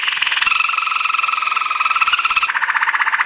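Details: Belgian Waterslager canary training song: dense rolling, water-like trill with a steady two-toned whistle held within it, shifting to a plain fast bubbling roll near the end.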